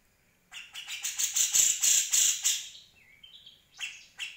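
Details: Grey-cheeked Bulbul recorded in 2020 as a tutor recording for other birds: a fast run of harsh, scratchy chattering notes, then a short wavering whistle and two more rasping bursts.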